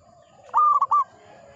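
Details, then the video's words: Local zebra dove, a lively singer, cooing in the ngepat Mataram rhythm style: one phrase of a rising coo and two short stuttered notes, then a smooth held ending. A faint low steady tone lies beneath. "Perkutut lokal gacor IRAMA NGEPAT MATARAM"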